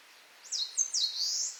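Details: Song of an eastern crowned warbler, a summer bird in Japan: high slurred whistles followed by a drawn-out buzzy descending note, one brief phrase against soft ambient noise.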